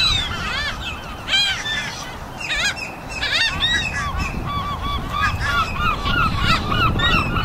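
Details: Afternoon seagull flock in full voice, short bent squealing calls from many birds crowding together, some louder cries standing out over a steady low murmur of background noise.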